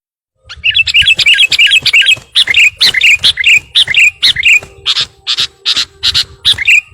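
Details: Sooty-headed bulbul singing vigorously while calling a rival: rapid runs of bright, chirpy, warbling notes, delivered in quick bursts about every third of a second. The later notes turn harsher and more clipped. No other clear sounds are heard.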